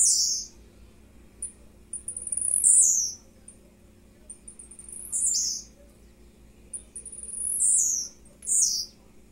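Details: Blue-black grassquit, a young captive-bred male singing in the morning at 10:50; high buzzy notes sweeping downward, given in short bursts about every two to three seconds with quiet gaps between.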